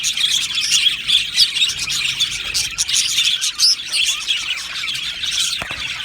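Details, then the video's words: Budgerigar colony in an aviary, many birds chirping together: a dense, continuous chatter of high twittering and warbling notes with occasional short squeaks, steady throughout. "Beautiful Happy Budgie singing and chirping sounds"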